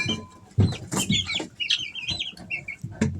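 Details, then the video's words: Easter Egger chicks, three weeks old, kept at home: high, short peeps in quick arched notes, repeated in runs, with low knocks and scratching sounds underneath. "Sounds of baby chicks"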